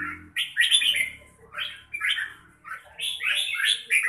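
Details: Red-whiskered bulbul singing in the 'mãng nhãn' style: bright, warbled phrases of rapid rising and falling notes, given in bursts roughly every second with short pauses between, clear over a quiet background.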